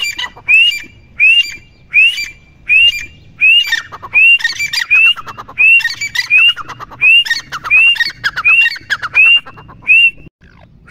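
A grey francolin calls loudly and shrilly, repeating a harsh phrase ending in a rising whistled note, about fourteen times in eleven seconds.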